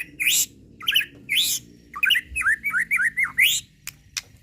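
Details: Murai pastol, a white-rumped shama, singing a provoking lure song: three loud harsh upward notes, then a quick run of bright descending whistled notes in rapid succession.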